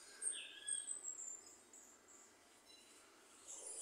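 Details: A finch (jilguero) sings faintly in brief, thin, high twittering phrases with a few short whistled notes, over a steady background hiss.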